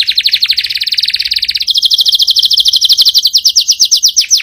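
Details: Canary song, loud and powerful: rapid rolling trills of repeated notes, first fast falling sweeps then a steady buzzy rattle, each phrase changing speed, with faint higher overtones throughout.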